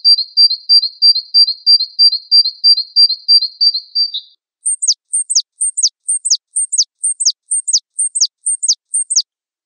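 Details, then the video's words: Java sparrow (wingko variety) song used for mastering: a smooth warbling string of rapid high notes for four seconds, then a regular run of about a dozen sharply falling chirps. "Gelatik Wingko SMART MASTERING"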